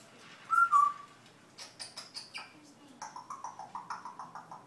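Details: A pet parrot learning to talk Dutch gives a clear rising whistle, then a string of short rhythmic clicking, chattering notes repeated about five times a second, amid a quiet indoor room.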